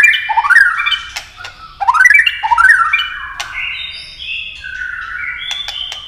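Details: Competitive singing from a white-rumped shama, with a long stream-like phrase. Swooping whistles rise and fall in quick succession between sharp clicks, then give way to a chain of level whistled notes stepping gradually lower.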